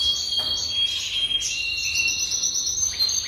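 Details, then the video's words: Jaspe canary holding a continuous high, ringing trill with steady whistled tones and brief buzzy flourishes, unbroken for over three seconds. "Chant Canari Jaspe"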